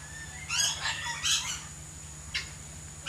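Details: Lory from a collection of vocal pet birds gives two loud, rough, grating squawks in quick succession, then a short sharp cry after a pause. A steady low hum runs underneath.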